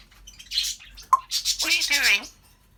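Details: African grey parrot chatting in mimicked human speech: a breathy, hissing burst of speech-like syllables, then a sharp click and a longer run of throaty talking that fades out.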